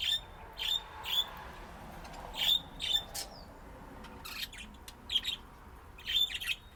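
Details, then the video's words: Playing budgerigars give clear, sharp whistled chirps in pairs and small groups, separated by brief pauses, over a faint soft background. "طيور الحب لعب وزقزقة"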